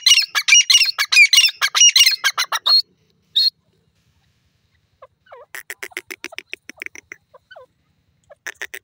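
A francolin gives a fast burst of harsh, grating notes. A pause follows, then a softer, scratchy chatter of quicker notes.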